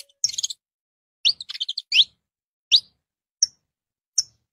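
A saffron finch sings loose phrases of sharp, high chips and quick rising notes, spaced unevenly less than a second apart, against an otherwise quiet background.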